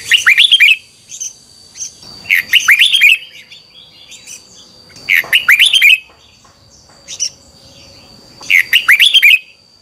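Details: Red-whiskered bulbul giving its 2021 morning training song in twisting double-voice style: four loud, rapid warbling phrases with sharp up-and-down slurred notes, plus a faint thin steady tone and scattered soft chips between phrases.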